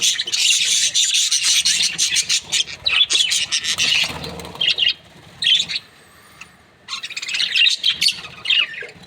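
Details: Budgerigar breeding pairs giving a continuous flock chatter of harsh, scratchy chirps and warbles, rapid and overlapping, fading to near quiet for a few seconds before the busy twittering resumes.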